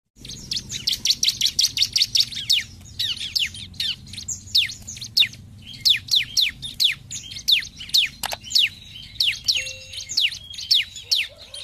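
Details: Bar-winged prinia singing in vigorous 'gacor' style as a lure to make rival birds sing, with 'nembak' and 'ngebren' bursts: a long rapid string of sharp high chirps and downward-sweeping notes, closely spaced, with a brief short tone near the end.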